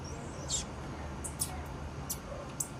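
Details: Female blue-black grassquit calling: four brief, very high, sharp chips spaced irregularly over about three seconds, each a thin tick, over a steady low background hum.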